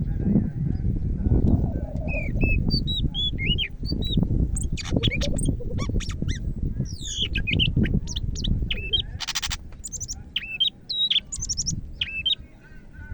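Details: Greater green leafbird from Medan singing vigorously: a rich medley of high whistled notes, slurred rising and falling phrases and sharp chips, over steady low rumbling background noise.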